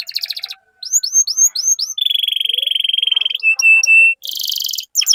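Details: Canary singing to stimulate other canaries: rapid trills, a series of curved upslurred whistles, a long steady buzzing roll, three short clear whistled notes, then a harsh high trill and scattered notes.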